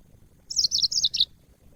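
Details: High twittering phrase from a caged yellow-fronted canary used as training audio for other birds: four quick clusters of bright chirps, each dipping down in pitch, over about three quarters of a second, with a faint low hum beneath.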